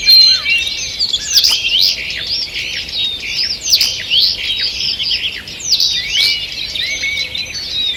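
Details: Morning birdsong in a forest, recorded 2 June 2023: a dense chorus of many birds with high overlapping chirps, trills and whistled slurs, continuous throughout, with a few sharper clicks standing out.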